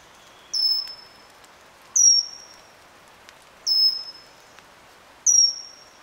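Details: Pygmy cupwing at Eaglenest wildlife sanctuary in NE India: four sharp, high, thin whistles, each falling slightly then held, spaced about one and a half seconds apart, with little else audible.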